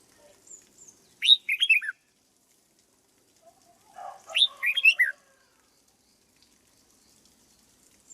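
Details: Red-whiskered bulbul in a cage, being conditioned as a decoy bird, gives two lively warbled phrases of slurred, rising and falling whistles about three seconds apart, with a soft chatter before the second; the background is otherwise quiet.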